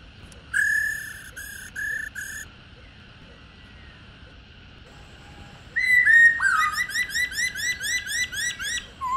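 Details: Wild-caught old female black-throated laughingthrush giving its 'ro' call, used to stir captive males to sing: a few harmonic whistled notes, a pause, then a fast run of repeated rising-and-falling whistles, about four per second.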